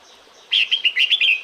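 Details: Female red-whiskered bulbul calling to a male in the breeding season, a quick run of six or seven bright, chirpy notes, slightly warbled and mid-high, lasting about a second, with nothing else heard.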